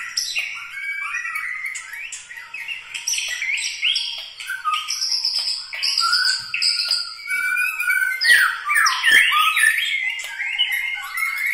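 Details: White-rumped shama, murai batu from Medan, Bahorok, Bukit Lawang, in its distinctive song: varied phrases of high clear whistles, chattering notes and rapid slurred trills, phrases changing every second or two.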